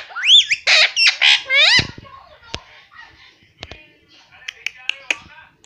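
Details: Indian ringneck parrot, a pet that mimics family words. Several loud, harsh, rising syllables come in rapid succession, followed by scattered clicks and soft taps.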